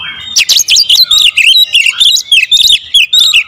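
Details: Kacer (Oriental magpie-robin) singing a close-shot 'tembakan rapat' lure song: a continuous rapid stream of loud scratchy, looping chirps about five per second, bright and harsh, with almost no pauses.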